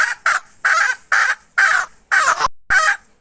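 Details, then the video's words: Hen recorded in 2021, giving loud harsh squawking notes in a steady series, about two per second, each a brief rasping burst separated by short pauses; no other sounds. "Suab poj qaib seev dib tuaj"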